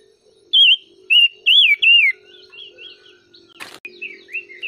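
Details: Songbird singing: four loud, wavering whistled phrases in quick succession, each sliding and trilling, followed by softer, quicker chirped notes. A steady low hum runs underneath, and a sharp click sounds near the end.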